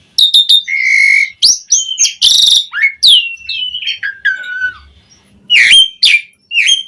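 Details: Asian pied starling in full, varied song as a lure for other starlings, pouring out dense phrases: a held whistle, harsh raspy bursts, falling and rising slurred whistles, and quick chips, nearly continuous.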